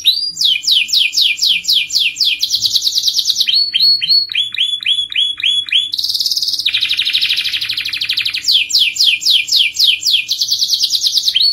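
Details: Canary giving a long rolling song used to prompt other canaries: fast repeated descending notes, lower rolled phrases, high buzzy trills, changing tour every second or two, steady and loud throughout.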